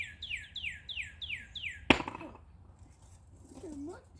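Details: Northern cardinal song from 25 March 2020: six strong whistled notes, each dropping sharply in pitch, repeated about every quarter second, ending in a sharp click, then a quiet low slurred note.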